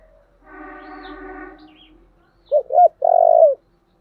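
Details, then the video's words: Spotted dove singing in the thổ-style voice, with 'thúc' and calling coos. After a soft, drawn-out harmonic tone, two loud hollow coos come close together and are followed by a longer, steady, rough-edged coo. "Cu gáy giọng thổ/ chuẩn thúc và gáy gọi"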